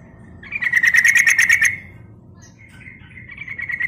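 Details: Sooty-headed bulbul call used to lure wild birds: a rapid, bubbly run of chirping notes lasting about a second, then softer trailing notes, over a steady low rumbling background.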